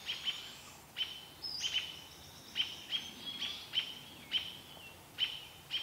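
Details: Alarm calls of American robins mobbing a mother barred owl, Vancouver: crisp, single or paired high 'peek'-like notes spaced about half a second to a second apart over quiet background.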